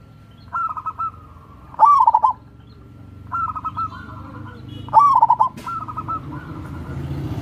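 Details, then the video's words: Local wild zebra dove giving crossing-style song to encourage lazy doves to sing: about five rolling coo phrases, two loud stuttered bursts between softer trills, with a low rumble underneath. "SUARA BURUNG PERKUTUT"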